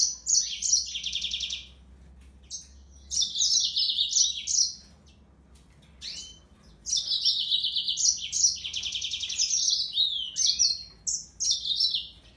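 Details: Singing Yellow-fronted canary, Serinus mozambicus, delivers three bursts of high twittering song, each of fast trills, sweeps and buzzy notes lasting a few seconds, separated by short silent pauses.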